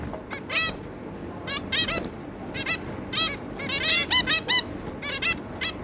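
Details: Zebra finches, a pair plus three juveniles, 11 May 2022: scattered short nasal beeps, sparse at first and then thickening into a busy run of overlapping calls near the end.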